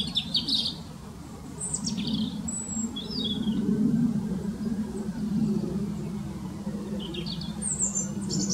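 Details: European robin in a park tree, singing persistently; scattered high thin whistled phrases and short trills spaced through the recording above a loud steady low rumble of traffic.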